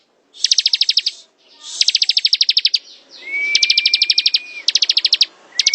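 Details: Bar-winged prinia, called ciblek, in ngebren style: rolling trains of crisp high pulses in close succession, one underlain by a long even whistle, over faint low background hiss.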